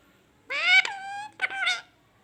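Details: Parrot making nasal, harmonic calls, one drawn-out note falling in pitch followed by a shorter rough note, in a quiet room.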